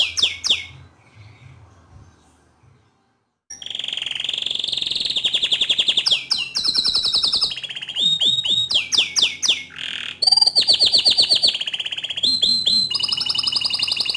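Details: Bottle-green canary singing nonstop as tutor song for young canaries. After a few faint notes and a quiet pause, loud rolling trills, rapid rattling note series and clear whistled tours follow one another quickly.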